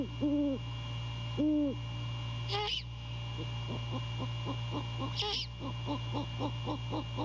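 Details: Male great horned owl calling to his mate at the nest around 2:30 AM in January: two long low hoots, two hoarse screeches, then a quick stuttering string of short soft hoots, constant background hum.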